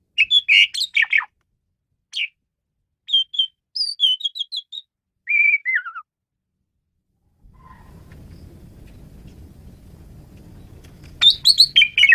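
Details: Varied Asian pied starling song from a songbird tutoring recording: rapid chattering notes, twangy repeated whistles, a falling slurred phrase, then several seconds of low steady background rumble before chattering resumes.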